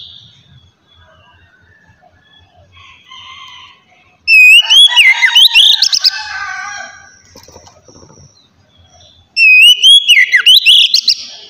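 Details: Oriental magpie-robin in loud ngeplong style, meant to get young magpie-robins singing: a quiet stretch with faint soft notes, then two powerful bursts of slurred whistles and rapid chattering trills, about five seconds apart.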